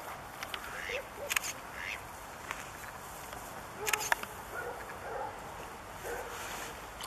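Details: Bewick's swans at České Budějovice, Czech Republic, in February 2014, giving scattered soft honking calls at different distances, mixed with a few sharp clicks and knocks over a constant low hiss.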